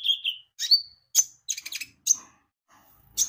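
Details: Javan white-eye (konin) used as a lure to get birds singing; sharp high chirps and a short falling whistle come in quick, uneven bursts.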